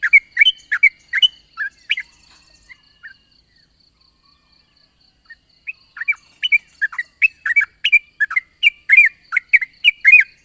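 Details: Yellow-vented bulbul singing a long 'ropel' song in the morning, a lure to prompt other birds to sing. Quick chattering notes, then a pause of about three seconds, then a dense, lively burst resumes.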